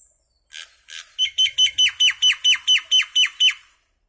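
A common myna gives a fast run of about a dozen harsh, downslurred notes, roughly four per second, after a few softer rasping starts.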